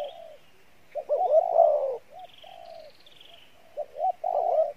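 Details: Pha Bài Lối cooing from a decoy spotted dove. Loud, wavering, bowed coos alternate with softer phrases of short notes and a sustained low hoot, separated by brief pauses.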